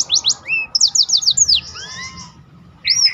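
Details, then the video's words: Short burst of Black-throated canary song for training other birds: a quick series of descending whistled notes, a few softer slurs, a brief pause, then a renewed high whistled phrase. "burung blackthrout lain pun ikut tergoda berbunyi."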